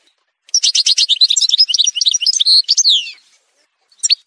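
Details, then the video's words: Algerian goldfinch song in a montage: a fast, dense run of high liquid twitters and trills lasting over two seconds, ending in a downslurred note, then a couple of short chirps. "chant chardonneret montage"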